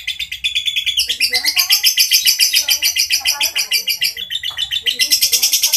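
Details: Long, coarse ngekek from a lovebird: an unbroken stream of shrill, raspy pulses, about three or four each second. The pulses shift slightly in pitch now and then but never pause.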